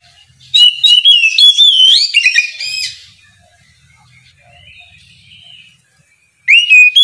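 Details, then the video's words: Morning ngeplong song of an Oriental magpie-robin, meant to draw rivals into replying. Over two seconds of loud, varied whistled phrases with quick slides rise and fall, then a quiet gap, then a fresh rising whistle starts. "Kicau suara burung Kacer ngeplong memancing lawan di pagi hari, sekali dengar langsung nyaut!"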